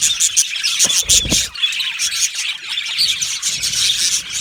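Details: Aviary flock of budgerigars chattering, busy high-pitched chirping and warbling from many birds, with a few low thumps near the second mark.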